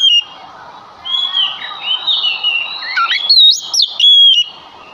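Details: Lure song of a male Oriental magpie-robin that sings constantly, used to make other magpie-robins respond. A rambling, slurred whistled phrase runs into sharp, loud, high whistles near the end, over low chattering.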